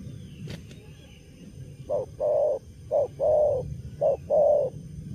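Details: Young wild-caught spotted dove in moult cooing with gusto in the 'cà lăm lỡ' stutter style: three pairs of a clipped low hoot and a longer level coo, preceded by a brief click and a faint background whistle.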